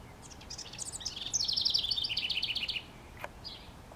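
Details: Treetop house wren in NW Regina, Saskatchewan, Canada, recorded May 25, 2015, delivers an energetic song: stuttering introductory notes speeding into a loud, rolling, downward-sliding trill. A sharp click and one soft high note come afterwards.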